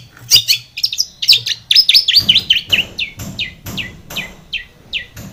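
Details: Long-tailed shrike in energetic song used as a lure to make a silent shrike sing: a fast run of varied sharp chirps and rising whistled notes, then downward-slurred notes repeated about twice a second.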